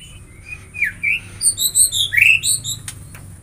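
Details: White-rumped shama song fragment: a few thin, upslurred whistles, then a fast cluster of high, bright chirps and squeaky notes over a faint background hum.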